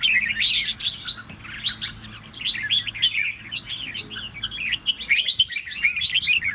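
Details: Red-whiskered bulbul song aimed at provoking other birds to sing: dense, swirling warbled notes that loop up and down, strongest at the start and again toward the end.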